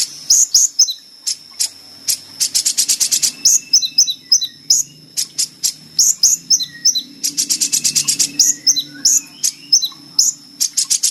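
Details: Sunbird called kolibri ninja, on a training recording for caged birds. Busy high twittering mixes quick trills with short downslurred whistles, and a faint low hum runs beneath.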